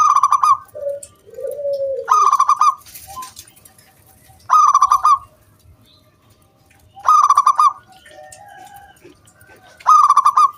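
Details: ['Local zebra dove in full song, used to coax other doves into singing. Loud, crisp, stuttering high coo bursts repeat roughly every two and a half seconds, with faint softer cooing in the gaps.']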